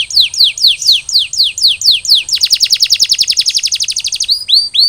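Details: Post-molt canary singing a series of quick descending swoops, roughly five per second, then a dense ringing rapid trill and a few closing upward-curving whistled notes.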